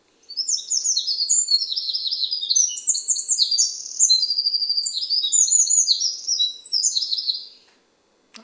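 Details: A Eurasian Wren, weighing about as much as a two-franc coin, pours out a very fast, complex song of rattling trills and sharp notes for about seven seconds without a pause, roughly as loud as human speech.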